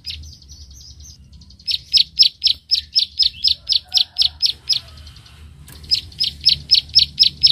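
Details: A bar-winged prinia challenging a rival gives its rapid, sharp, high 'klik-klik' clicking notes, about four per second, in two bursts over a faint low rumble.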